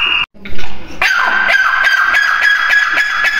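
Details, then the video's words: A grey francolin gives harsh, shrill notes repeated rapidly, about three each second, over a steady ringing tone after a brief opening burst. "Teetar ki awaaz | teetar ki awaz | gray francolin teetar voice"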